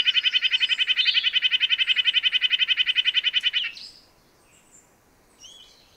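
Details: Red-breasted nuthatch giving a fast, steady series of nasal, harmonic notes, about four per second for nearly four seconds, then stopping abruptly, followed by faint high chips in a quiet background.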